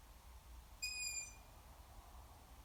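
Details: A juvenile Long-eared Owl gives a single high, thin, squeaky call lasting about half a second, flat in pitch, over a faint low background rumble.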